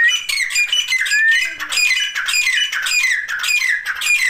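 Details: Four Grey Francolin chicks, separated for warmth in winter and eating live food: shrill, descending peeping calls repeated in quick bursts of about two per second, with a man talking softly in the background.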